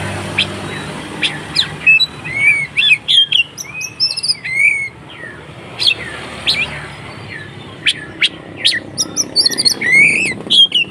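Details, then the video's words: Oriental magpie-robin in aggressive fighting song, used to bait other magpie-robins. Sweet slurred whistles alternate with sharp chips and scratchy bursts in irregular phrases, with a steady low hum throughout. "SUARA BURUNG Kacer konslet TARUNG untuk PANCINGAN KACER agar ikut KONSLET"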